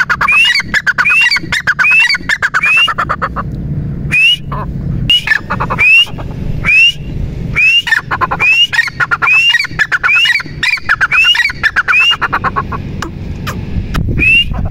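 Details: Partridge (teetar) giving a long run of calls, each a sharp rising whistle with dry clattering notes around it, repeated over a minute-like steady rhythm of roughly one per second, with steady low hum behind.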